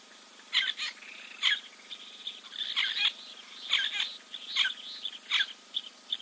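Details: Kings Camp waterhole, Timbavati Game Reserve, South Africa, 04.02.2024: a giant kingfisher preening, with grating harsh notes in doubled bursts roughly every second.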